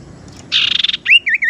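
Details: Lure call of a tailorbird (sirtu teras), played to attract birds and coax silent caged tailorbirds into song: a harsh pulsing buzzy trill, then a rising whistle and two clear, looping whistled notes.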